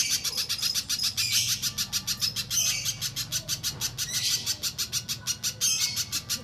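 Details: Little spiderhunter song used as a lure to prompt other spiderhunters to sing: a long, fast series of sharp high chipping notes, about five a second, run together in bursts, with a faint low hum beneath.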